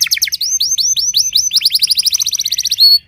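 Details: A canary, called a Timbrado, practising its early-morning song: a rapid run of high, sweeping whistled notes that speeds into a fast trill and ends on a sustained pure tone.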